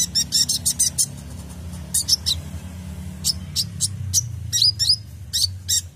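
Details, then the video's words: Sunbird (kolibri ninja) lure recording for tutoring caged birds: quick bursts of shrill chirps, a dense rattle at the start, then spaced sharp notes and upslurred squeaks, with a low hum beneath. "PANCINGAN KOLIBRI NINJA (Konin) FULL ISIAN tembakan mantap"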